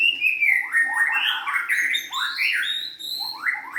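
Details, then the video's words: White-rumped shama, a young wild-caught bird, singing a rich run of loud whistled phrases that slide and warble, with rising and falling notes chained together almost without pause. "kicauan murai batu"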